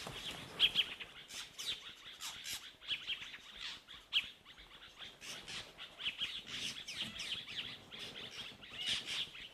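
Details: Fork-tailed drongos at Rietspruit Game Reserve, Lowveld, South Africa, at sunset, alarm-call and mob a spotted eagle-owl, several birds keeping up a dense harsh racket of scolding chatters and metallic chips.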